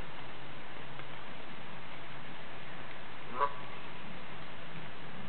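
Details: A kept female Canada goose comes to its owner and calls as if telling its troubles; one short, nasal honk near the middle, over steady low background hum.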